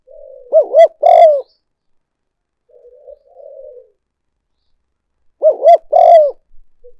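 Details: Spotted dove calling on a decoy recording used for luring: two loud phrases about five seconds apart, each two quick arched hooting notes then a longer swelling coo, with soft murmured cooing between.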